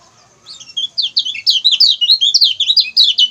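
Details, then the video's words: Lemon-bellied white-eye singing as a training model for other songbirds: a quick, high-pitched stream of twittering, slurred notes, about three per second, building steadily in volume after a quiet start. "CIAK CIAK GACOR KECIAL KUNING"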